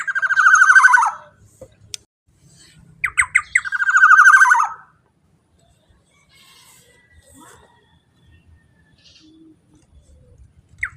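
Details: Powerful black-naped oriole calls used to draw in other orioles: a harsh buzzy rattle, a pause, then several sharp notes racing into another grating burst, followed by quiet with faint scattered sounds.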